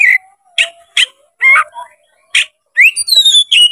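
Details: Oriental magpie-robin with open tail, singing to provoke a rival bird to fight. Short loud whistled notes spaced about half a second apart, then a rising whistle and a sweet sliding phrase at the end.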